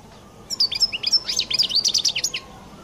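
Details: Distinctive song of a Collo-type European goldfinch: nearly two seconds of bright, jangling twitter mixing short whistles and fast scratchy chirps, with a faint low hum behind.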